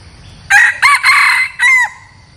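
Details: Single crow from a red junglefowl decoy rooster for luring wild birds: short sharp first and second notes, a long hoarse central note, then a trailing downward-bending last note, against a faint low background hum.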